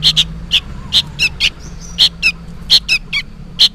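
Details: Young sooty-headed bulbul chick calling noisily, apparently for its parent, giving rapid clipped squeaky notes in pairs and triplets at an uneven pace, with a faint background hum.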